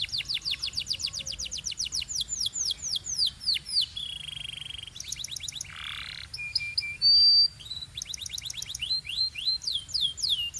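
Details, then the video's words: Belgian-style canary song built from fast rolling trills of curved whistled notes, broken by a low buzzy phrase, a harsh noisy burst and a sustained high tone, before the rapid trills resume. "This Canary’s Melody Makes All Birds Join In – Pure Belgian Singing"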